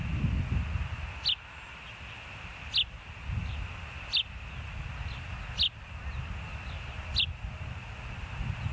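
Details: At the Hellgate osprey nest, filmed by a live camera on 06/04/2024 at 13:10, single sharp high chirps ring out about every one and a half seconds against quiet low background noise.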